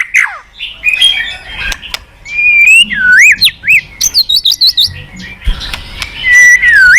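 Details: Energetic White-rumped shama song used as a lure, mixing rising and falling whistles with a quick series of repeated chirps around the middle.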